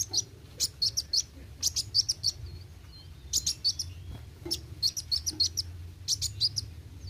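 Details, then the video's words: High-pitched sunbird song in lively 'gacor' style: clusters of sharp, sibilant chirps and ticks fired in fast runs, a few thin whistled slurs between bursts, low background hum throughout. "Kolibri Wuling Gacor Roll tembak"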